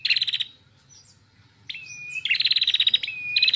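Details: Female red-headed prinia singing loudly: a short sharp note, a steady whistled tone near level pitch, then a fast rattling trill of bright repeated notes, phrases separated by pauses.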